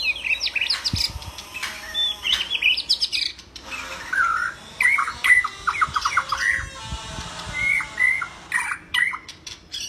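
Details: White-rumped shama in full song for a training recording for other birds: a rapid, varied jumble of harsh chattering squawks, buzzy phrases and short clear whistles, delivered in dense bursts with brief pauses between them.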